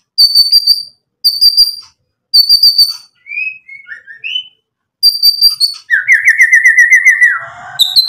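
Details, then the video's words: White-rumped shama used as a lure to get other birds singing: three clean high whistles with gaps, soft warbled notes, then a long even rattling trill that drops away at its end. "MURAI BATU GACOR bikin EMOSI ampuh buat PANCINGAN biar NYAUT BUNYI"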